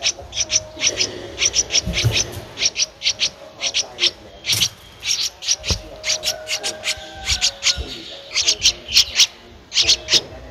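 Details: In Ubon Ratchathani, Thailand, on 15 April 2023, a 13-day-old Streak-eared Bulbul nestling calls with high, clipped squeaks in quick clusters, with some low knocks and a faint steady tone behind.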